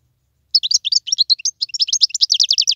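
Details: Song of a wild European goldfinch: a fast, unbroken flow of liquid twittering notes that becomes a steady, rhythmic run of repeated chirps.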